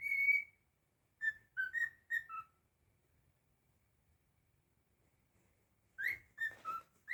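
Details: Pet cockatiel offering a few soft whistled notes, a long quiet gap, then a cluster of sliding whistles; faint low room noise underneath.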